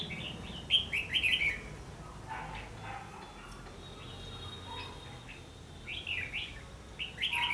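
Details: Red-whiskered bulbul in a fight-trap setting, 14 December 2015: a burst of lively warbled whistles, a quiet gap with faint lower notes, then further slurred whistled phrases near the end.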